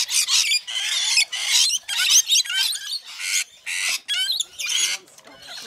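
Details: Rainbow lorikeets feeding, a flock giving harsh, broadband screeches in rapid bursts, roughly two per second, with short gaps between them.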